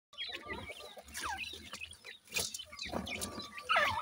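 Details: Sindhi grey francolin chicks calling while feeding: high, thin, downslurred peeps from several chicks, with scratchy pecking and rustling noises throughout and a brighter twittering burst near the end.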